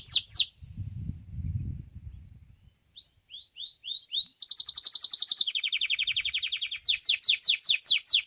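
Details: Domestic Belgian canary singing in a competition: sharp high notes, a series of short rising whistles, then long fast rolling trills of rapidly repeated notes switching in pitch, with a low rumbling noise early on.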